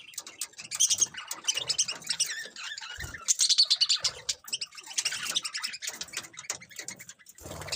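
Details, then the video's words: Several pet budgies chirp together in a steady, busy chatter of high twitters, squeaks and short whistled notes, rising and falling in loudness with no pause. "Cute Budgies Chirping Sounds"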